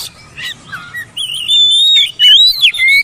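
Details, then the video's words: Oriental magpie-robin song as training playback for mute birds: soft faint notes first, then a loud sustained whistle, a sharp downward sweep and a bright rising whistled ending. "TERAPI MASTERAN BURUNG KACER BISU MALAS BUNYI"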